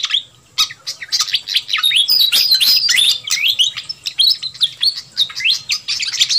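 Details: Wild-bird lure recording of a noisy fantail flycatcher: thick, continuous chatter of high chirps and sliding whistles in uneven rapid runs after a brief quiet start, with a faint low hum.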